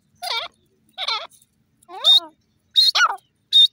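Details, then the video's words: Francolin giving loud, harsh calls with layered, falling tones, five or six notes in quick, uneven succession over a quiet background. "teetar ki awaz,teeter bird ki sound"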